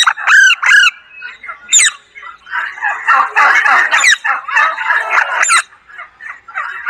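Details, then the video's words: Alexandrine parakeet (pahadi parrot) talking: two sharp harsh squawks open, followed by a rapid speech-like chatter of mixed syllables and occasional higher squeaks. "pahadi parrot talking"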